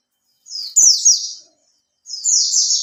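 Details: Oriental white-eye kept in a cage for three months, used as a lure, giving two loud, high, rapid phrases of descending slurred whistles separated by a short silence.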